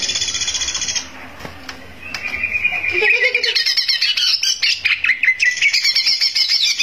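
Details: Greater green leafbird in full song, said to enrage rival birds: a steady high buzzing tone opens, then after a short pause come rapid, varied chirps and slurred whistles, dense and tumbling.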